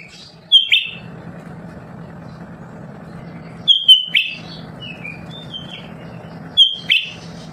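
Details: Lesser green leafbird kept at home, described as constantly singing and used to prompt other birds to sing: three short phrases, each a sharp high whistle followed by a falling, buzzy burst, spaced about three seconds apart over a steady low hum.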